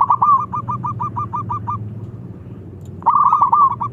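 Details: Local zebra dove calling loudly to prompt others to answer: a long string of quick, evenly spaced, bouncing coo notes, a short pause, then another loud fast burst of rolled notes.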